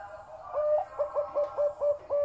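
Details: Zebra dove with a deep voice delivers a fast string of about seven short hooked coos, each rising briefly then levelling off, repeated roughly every quarter second.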